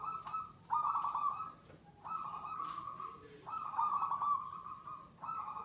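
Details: Local wild-type zebra dove (perkutut) in gacor, the third and settled song stage marked by long bouts: trilled, quavering cooing phrases about a second long, repeated with short gaps, over faint background hiss.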